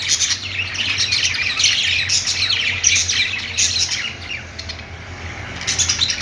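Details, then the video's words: Budgies playing with a warbling, continuous chatter of squeaks and chirps that softens toward the end before another burst. "budgies playing sounds"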